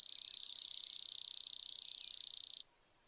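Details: A fast, high, mechanical trill from a Spizella sparrow runs on evenly for over two seconds and then stops abruptly, leaving near silence.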